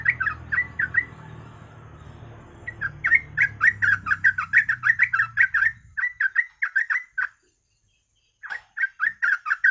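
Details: Yellow-vented bulbul song used as a lure to make other bulbuls sing: rapid, bubbly chattering phrases repeated in quick bursts, with a low hum for the first six seconds and a short pause before the song resumes.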